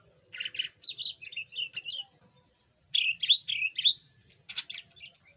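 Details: Formerly mute yellow budgerigar now chattering a bit: a series of squeaky, twisting chirps in clusters, a pause, then a louder run of rising squeaks and a harsh note at the end.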